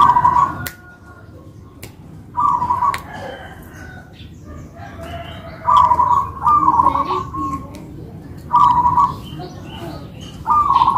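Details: Two local zebra doves duetting in manggung song. Trilled coos come in clusters separated by quiet gaps of a few seconds. Faint clicks and some other soft sounds are in the background.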